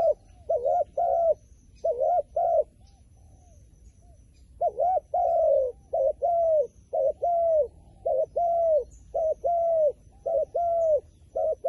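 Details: A long series of low, paired coos from a wild pigeon, short notched notes alternating with longer arched ones, broken by a quiet gap of about two seconds before the calling resumes.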